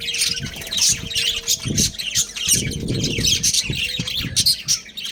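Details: Pet budgerigar breeding pair giving rapid high chirps and squawky chatter, over a steady low hum and occasional dull thumps in the background.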